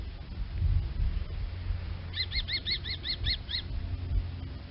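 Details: Kestrel uttering a brisk series of about eight bright, piercing kee notes over a second and a half, with constant low-frequency wind or handling rumble underneath.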